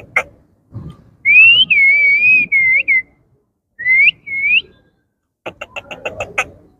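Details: Talking pet Indian ringneck parakeet, the birds coloured yellow, blue and green. It gives long, clear warbling whistles with a wavering pitch, then two short upslurred whistles, and finishes with a run of sharp clicks.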